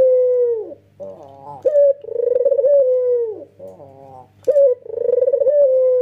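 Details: Male white red-eyed dove cooing in full, nodding bouts, played to get other doves calling: deep rich coos held and slightly wavering, broken by short rising notes, repeated in phrases about every two to three seconds.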